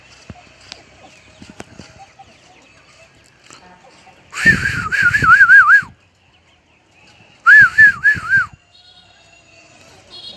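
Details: Crested bird singing in a H'Mong village, highland life: two bursts of rolling whistled loops, the first longer with four or five waves, accompanied by crackling rustle, with quiet gaps around them.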